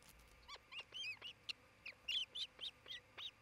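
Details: Osprey of a nest-building pair in Charlo, Montana, midday in late June 2018: an unbroken run of about a dozen piercing, whistled chirps, some rising then falling, delivered several per second.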